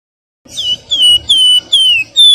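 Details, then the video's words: Flowerpecker (flamboyan) singing a nyuling whistle phrase: four to five clear, high, slightly falling whistled notes in quick even succession. "SUARA MERDU BURUNG FLAMBOYAN GACOR NYULING, NYIUL NYERRECET"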